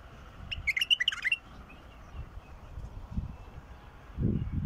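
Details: Adult mukhallaf bulbul singing, a song offered to prompt silent bulbuls to sing: one quick phrase of clear, bubbling whistled notes lasting under a second, then low rumbling thuds and background hum.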